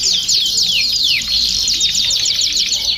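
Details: A flock of domestic canaries sings together in a dense chorus. Rapid high trills and falling whistled sweeps overlap without pause. Bright chirps repeat in quick runs.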